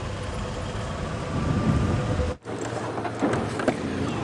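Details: Steady low vehicle engine rumble during an evening safari drive at sunset, cutting out briefly midway before resuming, with no animal calls heard.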